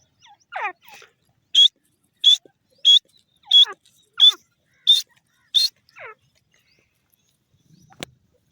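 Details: Grey francolin, desi teetar, a loud series of seven sharp, strongly emphasized calls about every 0.7 seconds, opened and closed by softer descending notes; quiet background, a faint click near the end.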